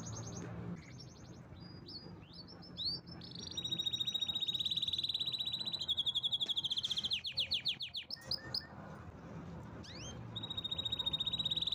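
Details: Canary in full powerful song: brief chips, then long steady high rolled trills lasting seconds, switching into fast descending sweeps and returning to sustained pulsing trills; low background hum.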